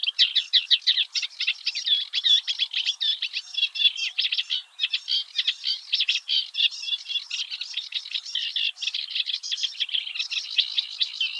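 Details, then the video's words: In the Netherlands' Oostvaardersplassen, a Eurasian reed warbler sings one early morning, delivering an unbroken, energetic chatter of harsh chirps and rasping repeated notes, with a brief lull midway before resuming. "Singing Eurasian Reed-Warbler"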